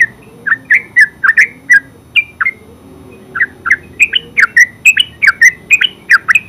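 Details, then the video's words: Yellow-vented bulbul (terucuk) singing in ngeropel style: a dense run of short bubbly, warbling notes that rise and fall, a brief pause near three seconds, then a fresh burst of chattering phrases. "Terucuk full suara ngeropel"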